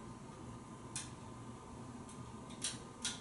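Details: A quiet indoor hum with a few sharp ticks and clicks scattered through it, and no animal calling.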